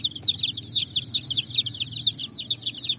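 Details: Colored chicks running on sand in the evening, chirping constantly: a dense chorus of high, shrill, slightly falling peeps, several overlapping per second, with a faint low hum underneath.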